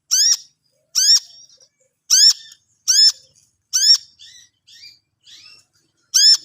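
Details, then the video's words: A long-tailed shrike, presented as a bird learning to sing, gives loud harsh rasping notes that rise sharply, repeated about once a second, with soft twittering between them in an otherwise quiet setting. "BELAJAR MAEN, BURUNG CENDET"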